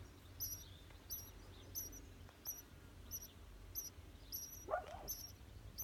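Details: Young birds calling from inside a mailbox: faint, very high, thin chirps in a steady series roughly every half second, over low background rumble, with one louder lower squeak near the end.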